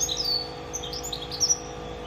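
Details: Goldfinch mule, a goldfinch and canary hybrid, singing high thin twittering notes in brief scattered bursts over a steady low mechanical hum.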